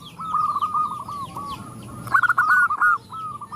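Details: A female zebra dove calling males while others reply: a quick run of trilled mid-pitched coos, then a louder stuttering burst of clipped notes, with high chirping birds in the background.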